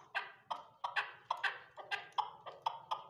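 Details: Chukar partridge (Alectoris chukar) on a partridge farm giving a fast run of harsh, clucking chuk notes, about two or three a second, with a low background hum.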